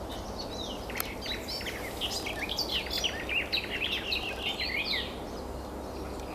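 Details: Garden warbler song from a bird concealed in bird cherry or alder foliage: a long, rapid, continuous babbling warble of mixed whistles and chattering notes, fairly even in pace, set against constant background noise.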